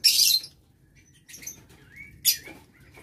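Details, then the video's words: A loud harsh shriek from a lovebird in an aviary, 6 November 2022, followed by softer whistled rising notes and a second sharp screech. "Aviary Lovebird"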